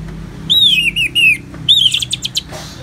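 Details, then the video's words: Orange-headed thrush's ngeplong song for therapy, paired with natural rain: sweeping slurred whistles, then a rising whistle breaking into a fast series of sharp chirps over a constant hiss. "Terapi ANIS MERAH Ngeplong dan Suara Hujan ALAMI || Adem dan Tenang Nyaut Pasti Joss"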